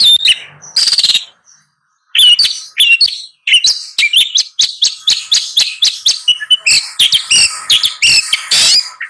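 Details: Busy long-tailed shrike song of rapid chattering chirps, squeaks and scratchy notes running nearly continuously after a short pause, with a faint steady hum underneath.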